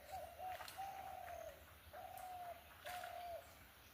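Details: A dove gives soft, hollow, level coos, each about half a second, in a loose series with short pauses, over faint background hiss. Recorded at dawn on 17 December 2025 in Barabaidpara village, among trees, bamboo, bushes and small ponds.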